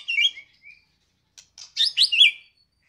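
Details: White-rumped shama, Medan type, kept caged and singing loudly in full form. Short high whistled and squeaky notes, a brief gap, then a burst of sharp, bright, descending chirps.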